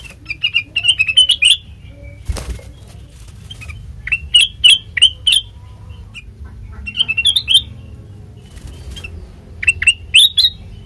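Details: Sooty-headed bulbul song used as a lure for other birds: bursts of quick whistled notes separated by quiet stretches of a few seconds, with a brief clattering noise early on and low hum throughout.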